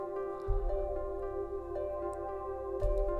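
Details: Calm instrumental music with sustained held notes and deep low pulses, and no animal sound present.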